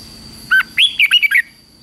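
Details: Red-whiskered bulbul fighting song from a morning training session meant to push wild-caught birds to sing hard. A single dipping note is followed by a rapid run of five bright, slurred, rising and falling whistles. A thin steady tone hums in the background.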